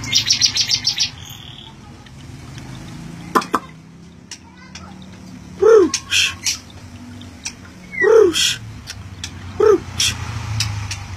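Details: Thai-type Oriental magpie-robin opens with a rapid burst of high chatter, then gives spaced, slurred squawky notes and sharp clicks every couple of seconds.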